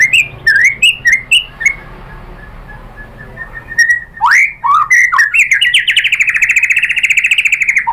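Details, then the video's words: White-rumped shama song used to provoke replies: short rising whistles repeated, a long thin note, then rapid varied phrases ending in a fast buzzy trill, with low background hum. "MURAI BATU bikin NYAUT jadi EMOSI NYAUT GACOR BONGKAR MATERI ¦ PANCINGAN MURAI ¦ SHAMA BIRD"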